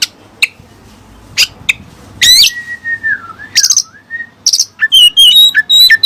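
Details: Oriental magpie-robin song containing Cililin material copied from other birds: scattered sharp clicks, a long wavering whistle, then a quick sequence of fluty high warbled notes.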